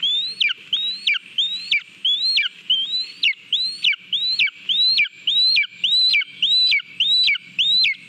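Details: At a Latvian nest on 18 July 2022, a lesser spotted eagle eating a mole gives a long series of loud, upslurred whistles, each ending in a quick downward flick, repeated at a steady pace of nearly two per second.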